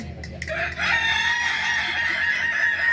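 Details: Kukuak Balenggek rooster at a crowing contest in Ampang Kualo, Solok city, May 2024; a long, steady, harmonic-rich crow is held for about two seconds over a low murmur of crowd noise.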